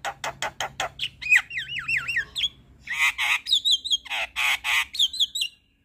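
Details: A white-eyed Javan myna in lively, frequent song full of fill phrases, with the bird nodding. It gives a run of loud harsh clicking notes, then wavering whistled trills and sharp squawky bursts mixed with high whistled slurs.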